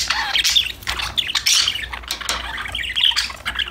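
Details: Pet budgerigars singing and talking to each other: rapid overlapping squawky chirps and buzzy warbles running almost without pause, with a few thin whistled notes standing out.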